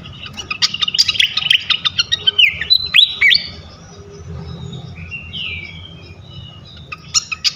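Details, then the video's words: Lure song of a flycatcher, meant to set other flycatchers singing: a dense burst of quick chirps and downward-sliding whistles, then a quieter pause with soft distant notes and a short chirping burst at the end. "Auto Konslet gacor ngeplong sikatan manapun sekali pancing ini."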